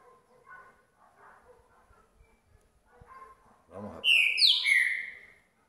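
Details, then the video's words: Green-winged saltator (trinca-ferro), a young captive bird about 2–2.5 years old, turning 3 in November, singing after a bath on a cold day (6°C) as a man talks quietly; a loud, rich burst of clear whistled notes swooping downward, about a second long. "Trinca ferro Rock in Roll"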